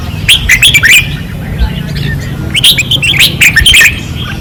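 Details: At a 2024 training perch in Pattani, caged red-whiskered bulbuls sing fiercely: two busy bursts of chirpy, up-and-down whistled notes, one early and one late, over a steady low hum.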